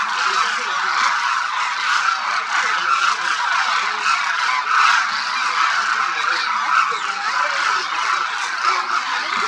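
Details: A vast flock of Demoiselle Cranes feeding at Khichan, Phalodi, Rajasthan, India, in winter; many birds call at once, giving a steady dense clamour of honks with scattered lower, wavering notes.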